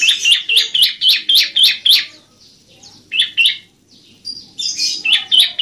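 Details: Bar-winged prinia song as a masteran recording meant to coax reluctant prinias into singing. Bright, high chirped notes repeat quickly in a steady run, pause, then resume in shorter bursts.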